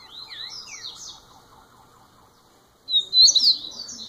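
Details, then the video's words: Young first-year double-collared seedeater: soft twittering and falling slurs lead into a pause, then an intense burst of high, sharp whistled notes and trills. "COLEIRO NOVINHO MAIS TOP 1¤ ANO DE VIDA"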